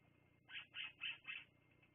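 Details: Bald eagle on the Fraser Point live nest camera, 10/02/2022 late afternoon, uttering four quick high, slightly harsh chirps in an even row over about a second, against a low steady background hum.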